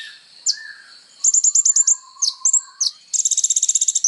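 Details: Songbird training recording of a kolibri ninja sunbird: scattered thin downslurred notes, a quick run of seven chips, then a fast buzzing trill to the end.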